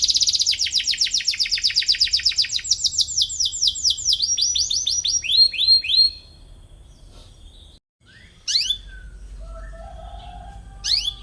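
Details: Canary singing to draw out a rival and coach young canaries: rapid trill, then a series of descending swept notes for about six seconds, followed by near silence with a few sharp isolated chirps.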